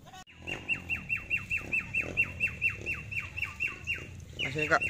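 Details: A free-living yellow-crested cockatoo, one of a male-female pair playing in a residential complex, gives about sixteen sharp, downslurred squawks, four or so per second, ending in a harsher screech, over faint background rumble.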